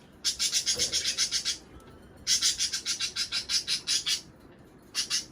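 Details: Budgerigar sound played to encourage pairs to mate and lay eggs: two bursts of fast, buzzy, high chattering pulses repeated about five times a second, separated by a short quiet gap.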